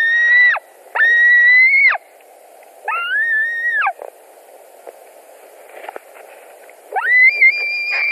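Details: White-tailed eagles at a nest in Latvia, evening of 17 July 2020, during a fish delivery: three drawn-out whistled calls, a pause filled with soft knocks and rustling, then one more rising call.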